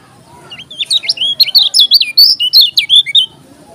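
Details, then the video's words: Lombok yellow-crowned bulbul, likely caged, singing a rapid burst of loud, high, wavering whistled notes, about a dozen in under three seconds, with a faint low hum underneath. "KECIAL KUNING TAK PUNYA NAMA, JOSS NGAMUK‼️"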